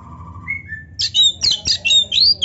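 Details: Kacer, the Oriental magpie-robin, opens with a few soft level whistles, then bursts into loud rapid high whistles and slurred chirps in quick succession.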